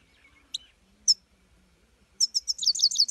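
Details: European goldfinch (saira) with two isolated sharp high notes, then a rising burst of rapid jangling twittered song at the end; a faint low hum persists throughout.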